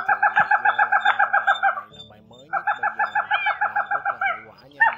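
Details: Crake calls, male and female, played to lure birds into night nets and said to resemble a cat: long rapid strings of evenly spaced nasal notes, around four each second, broken by a short gap, closing with a single stronger note.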